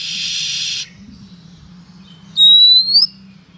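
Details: Female Oriental magpie-robin calling to lure males: a second of loud hissing noise at first, then after a pause a single clear whistle that climbs steadily upward, over a low hum.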